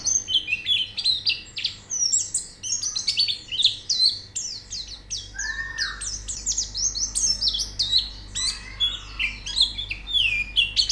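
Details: White-eye song used as training audio to make birds sing: long, energetic stream of high, rapid twittering and slurred whistles, with a brief lower rising note midway and a low hum underneath.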